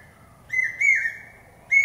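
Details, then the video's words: Common hawk-cuckoo whistling pi-peeah. One strong, shrill phrase rises slightly and then slurs downward, with the start of the next phrase at the end. The background is quiet. "Common Hawk-Cuckoo calling...pi-peeah...pi-peeah...pi-peeah... (പേക്കുയിൽ കിഴക്കേ വാ....)"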